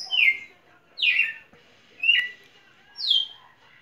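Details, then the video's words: A champion red-cowled cardinal sings clear, descending whistled notes, four phrases about one per second, sliding from high to mid pitch; faint background chatter. "Galo-de-campina campeão"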